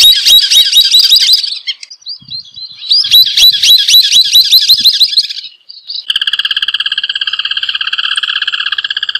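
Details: Rufous hornero song: loud, rapid chattering series of sharp repeated notes in two bursts, followed by a steady pulsing buzzy trill that continues to the end.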